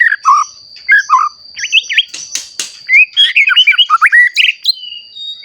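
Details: White-rumped shama kept as a lure bird to set other shamas singing, giving varied fluty whistles, dipping slurred notes and quick bursts of chattering phrases, with a thin constant high whine behind.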